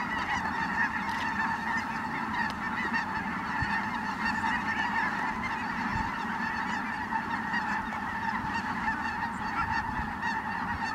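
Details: A great flock of Ross's geese flies in at Merced National Wildlife Refuge, 22 December 2017, its many voices merging into a steady, layered chorus of nasal calls, broken by occasional soft knocks.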